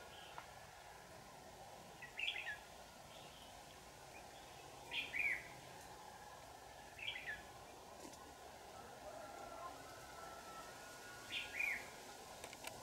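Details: Red-whiskered bulbul at a trap, in peak display condition, recorded 4 January 2018; four short, sweet, whistled phrases spread about three seconds apart, each quick and slurred, against a steady droning hum.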